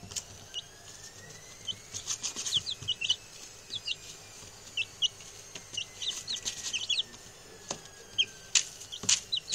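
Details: Six newly arrived male chicken chicks, settled in and chatty on their first day, to be reared for eating and taxidermy. Soft, high, short upswept peeps come scattered and in small clusters, over steady background hiss with occasional clicks and rustles.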